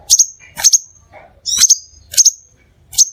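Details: Crimson sunbird lure recording for drawing in other sunbirds: brief, very high double chirps repeated roughly every half second, with faint lower chatter between them.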